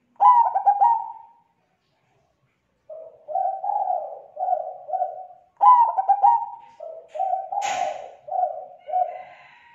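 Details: Zebra dove giving a lure call to attract others of its kind: stuttered trilling coos alternating with runs of four soft coos, plus a brief knock and faint hum late on.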